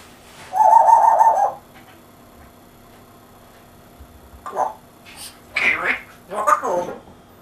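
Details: Pet African grey parrot with an English accent, indoors, imitating human speech: a loud, harmonic, wavering tone lasting about a second, then three short speech-like bursts after a pause.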